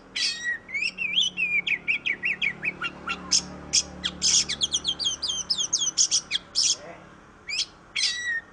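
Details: Oriental magpie-robin, called kacer in Indonesia, a popular singing and fighting bird; lively song of quick repeated chirps, harsh buzzy notes and slurred whistles in a near-continuous stream.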